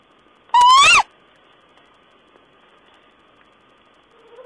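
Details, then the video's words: Owl calling on 14 April 2010: one loud, short, rising-then-falling harsh call lasting about half a second, followed by quiet with a faint low hum. "Owl's talk"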